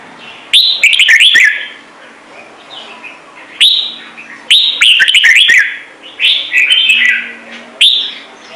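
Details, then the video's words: Vietnamese ornamental red-whiskered bulbul giving a lively, clear song. Quick warbled and whistled phrases rise and fall and come in five bursts separated by quiet gaps. Crisp clicking ticks and a low background hum are also audible. "CHÀO MÀO | Trung Mang hót giọng chuẩn cực hay - Bổi nghe là hót"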